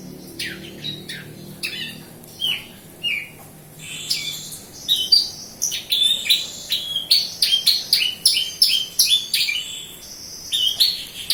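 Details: Horsfield's bush lark, local Kediri, Java, singing: spaced sharp chirps at first, building into a fast, continuous stream of high twittering and slurred whistled notes.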